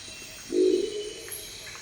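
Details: Crested Owl in the Ecuadorian Amazon giving a typical deep, croaking, gruff growl: one low, rough note of about half a second, slightly frog-like, over steady insect hum from the forest.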